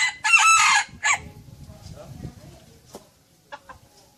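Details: Chickens in a flock: a loud harsh squawk and a shorter cry, followed by quiet low murmuring clucks and faint distant calls.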